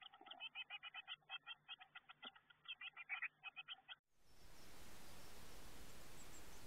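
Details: Eurasian blue tit nestlings in a garden nestbox as they prepare to fledge, recorded on the box camera: rapid scratchy chips about four per second for four seconds, then a sudden switch to loud steady hiss.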